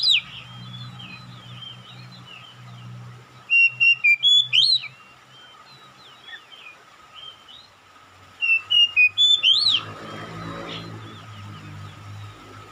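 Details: Oriental magpie-robin calling, with another magpie-robin answering in lively song: two bursts of rapid, clear whistled notes sweeping up and down, around 3.5 to 5 seconds and 8.5 to 9.5 seconds, separated by quiet background hiss and a faint low hum.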